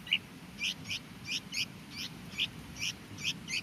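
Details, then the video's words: A very hungry, small bulbul chick in the nest, being fed, gives short, high, squeaky begging notes, about two to three per second, steady and insistent, over a faint low background hum. "A hungry bulbul baby chick"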